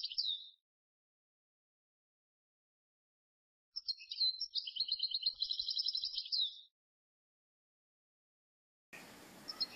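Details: European goldfinch song recorded while goldfinches are trapped: a brief high twitter, then a three-second burst of fast, jangling trills after a silence, ending in a sudden rush of broadband noise.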